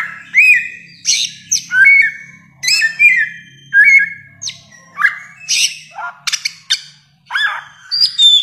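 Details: Bare-throated whistler, a bird endemic to Nusa Tenggara, known locally around Lake Kelimutu on Flores as the spirit bird; loud, rich whistled phrases with sliding and rising notes mixed with sharp chirps, given in quick bursts.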